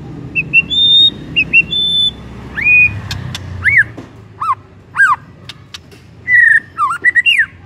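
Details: Shama lure song used to get another white-rumped shama singing: clear separate whistles, some level and some sharply arched or dropping, spaced irregularly, ending in a quick whistled flourish.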